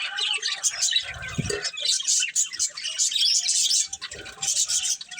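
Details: Breeding pair budgies keep up dense, buzzy high chirping with soft whistles, interrupted by a brief low thud and rustle.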